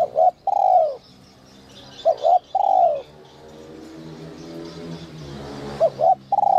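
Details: Spotted dove, whistle-voice (giọng còi) coo meant to excite wild doves: a long falling note, then two more double-note-plus-long-coo phrases, the last just beginning. A low steady hum fills the pauses, with faint chirps above.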